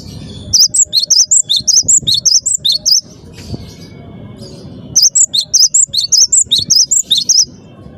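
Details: Loud singing from a cinereous tit (gelatik batu): two bursts of sharp, high-pitched, rhythmic two-note phrases, each lasting about two and a half seconds, with low murmur in the gaps.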